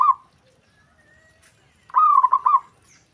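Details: Zebra dove calling, other doves responding at once: one full stuttered cooing phrase near the end, preceded by the tail of another and a soft whistled note.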